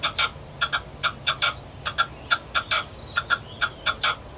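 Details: Arabian partridge giving short, harsh chuck notes, often in quick pairs, repeated steadily for over four seconds over a low background hum.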